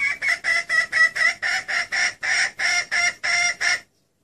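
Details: A red junglefowl hen, used as a lure call to draw in males, gives a rapid run of about fifteen harsh, clucking notes, roughly four per second, ending abruptly after under four seconds.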